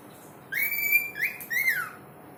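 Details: Talking bird whistling: a long, level, clear whistle, then two shorter notes, the last gliding downward, over a quiet hiss.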